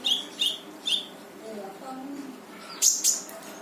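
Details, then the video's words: Brown-throated sunbird (konin) singing energetically in gacor full tembakan style, played to set off a quiet konin: three thin high chirps open, a soft lull follows, then two loud piercing bursts close. "KONIN GACOR FULL TEMBAKAN || UNTUK MANCING KONIN MALES BUNYI LANGSUNG IKUT BUNYI"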